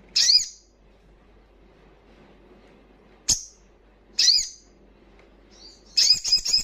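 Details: Crimson sunbird, fast 'ngalas' wild-style singing meant to trigger breeding condition and aggression in untrained birds: isolated sharp, very high slurred chips a few seconds apart, ending with a quick stuttering cluster.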